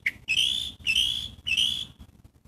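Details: Three slurred, cat-like mewing notes from a catbird, each falling slightly in pitch and lasting about half a second, in quick succession after a short lead-in chirp.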